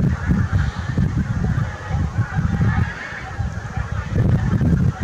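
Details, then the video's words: Geese in a large flock, 8 April 2021, honking continuously in a low, crowded chorus of overlapping calls, with brief lulls and a constant hiss underneath. "Suuri hanhiparvi - Hanhi ääni"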